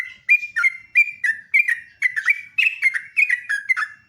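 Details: Live morning song of a sooty-headed bulbul: dense, lively chatter of liquid whistled notes, each with a quick downward slur, tumbling out about four per second.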